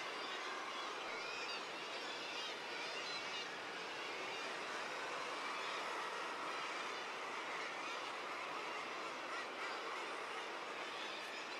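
A dense, unbroken roar of many guillemots growling and calling together, their harsh overlapping voices merging into a steady din like distant surf.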